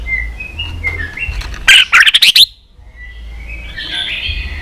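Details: White-rumped shama song used to provoke fighting song: faint soft whistles, then a brief loud burst of rapid harsh notes, then quieter whistled phrases.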